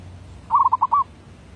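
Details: Zebra dove, a decoy bird, singing in the derak labuh style: a quick rolling burst of four low, burred coo notes lasting about half a second, over a quiet background hum.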